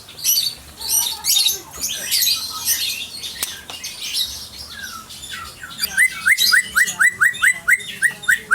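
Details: Aceh white-rumped shama in full song: dense, scratchy high phrases at first, then a run of about ten clear, evenly repeated whistled notes, each a short rising slur, delivered in quick rhythm.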